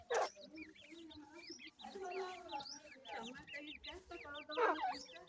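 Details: Group of black francolin chicks cheeping constantly: thin, sharply rising-and-falling peeps overlapping one another, with a couple of louder harsh notes near the start and end.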